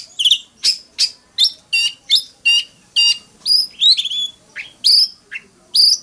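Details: Decoy Oriental magpie-robin singing a fighting song to spur other magpie-robins into morning song: a series of short harsh, layered notes repeated about every half second, then bright whistled upslurs and clipped high chips.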